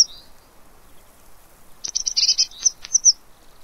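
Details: Eurasian blue tit at a fat ball feeder, Pellerey, France, 3 March 2017. A brief high note opens, then after a pause comes a burst of rapid, thin, scolding chatter with scattered high ticks.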